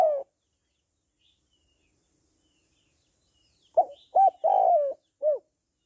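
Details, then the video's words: Female spotted dove cooing to stimulate males: the end of one phrase, then a long silence before a full phrase of a short note, an upswept coo, a long drawn falling coo and a soft short final coo. "Tiếng Cu Gáy Giọng Hạp BổI ĐỦ BÀI [ GÁY GỌI,THÚC,GÙ ]"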